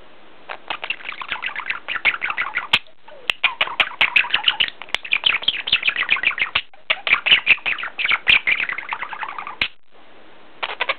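Budgerigars chatter in a busy stream of warbled chirps, clicks and squeaky notes.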